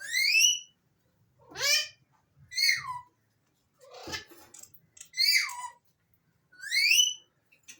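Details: Alexandrine parakeets whistling: a series of varied bright notes, some sweeping upward and others sliding downward, given at irregular intervals with short gaps of quiet between them.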